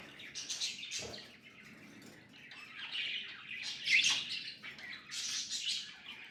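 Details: Budgies giving continuous chattering chirps, a dense run of high scratchy warbled notes rising and falling, with one low knock near the start.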